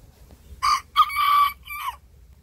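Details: Small Bantam rooster crowing back at a larger rooster next door, loud and close: a short harsh opening note, a longer ragged middle burst, and a brief falling final note, all bright and scratchy.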